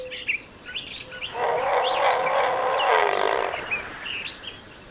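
A Great blue heron gives one long, hoarse, grating squawk lasting about two seconds, while small birds chirp thinly in the background.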